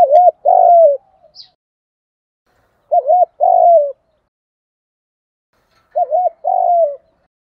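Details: Spotted dove giving a calling and stimulating call used in training doves to call: clean low coos in phrases of a short dipping note followed by a longer wavering coo, repeated about every three seconds, three phrases.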